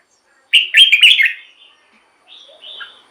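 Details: Red-whiskered bulbul singing, a recording meant to stir caged birds and draw in wild ones: one loud, rich, chattering phrase, then a softer, thin, whistled trailing note.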